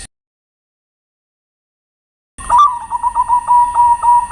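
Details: After two seconds of silence, a zebra dove lure song starts abruptly: a sharp rising first note, then fast, evenly repeated short coos at a level pitch, with steady high electronic hum.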